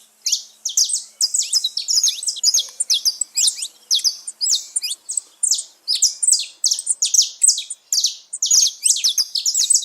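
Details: Saffron finch, locally canário-da-terra, singing free in the wild: long, energetic sequence of rapid high chirps and sharp slurred notes in tight bursts, almost without pause.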